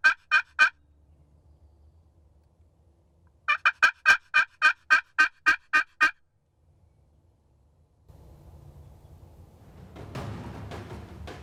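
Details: Male wild turkey (Meleagris gallopavo), a tom at a food plot in Ohio during spring season, late morning, gobbling in loud, rapid runs of throaty notes as he answers a hunter's calls.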